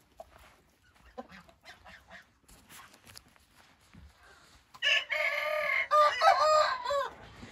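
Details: Hint rooster crowing: after scattered clicks and faint clucking, a loud harsh crow lasts about two seconds, holding steady then wavering with a rough, buzzy tone toward the end.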